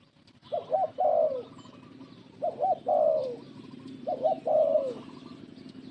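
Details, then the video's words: Spotted dove, an old lure bird used for trapping, giving three coo phrases: a quick double note followed by a longer falling coo, repeated about every two seconds over a steady low hum. "pikat lama, pikat burung terkukur terbaik"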